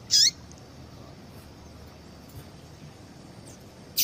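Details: Call of a female yellow-bellied seedeater, used to get a male singing. A bright, high chirp opens the stretch, then a long quiet gap before a second sharp call at the end.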